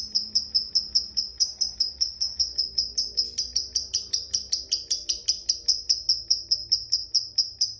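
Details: High, sharp lovebird tick notes in a steady 'ngetik' rhythm, about two and a half per second, part of its long 'ngekek' singing, with a few lower sliding notes mixed in and a faint hum behind.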